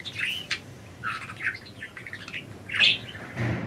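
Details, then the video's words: Free-flying pet budgies chattering in a busy string of short chirps and warbled notes, some rising and squeaky, others buzzy, with a louder squawk-like chirp near the end and a few brief clicks or rustles. "Budgies Enjoying Freedom and Chirping"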